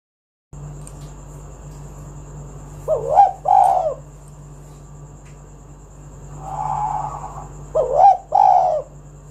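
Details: Spotted dove call meant to draw other doves into song; two bursts of paired throaty coos separated by a quieter drawn-out coo, over a steady low electrical hum.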